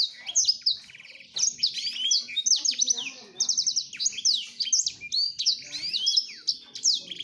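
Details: Courtship song of a male black-throated canary directed at a female, a continuous rush of high twittering notes, quick trills and upward-sliding whistles, with a faint low hum underneath.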